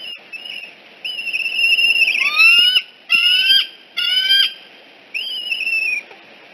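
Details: Decorah eagles, 14 September 2018 at 6:45 am, juvenile on the nest escorted away: sustained high whistles alternating with rapid bursts of short, descending squeaky notes, in groups about once a second.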